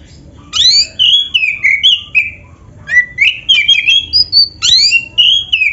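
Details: Black-breasted Oriental magpie-robin singing strongly, a lure recording for caged birds: dense sequence of loud sweeping whistles, upslurs and buzzy high notes, nearly continuous with short breaks.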